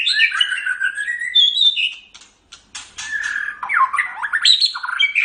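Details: Caged white-rumped shama in full, busy song used as a training recording for pet birds: rich whistled phrases, rapid click bursts after a short pause, then swooping down-up notes and chattering.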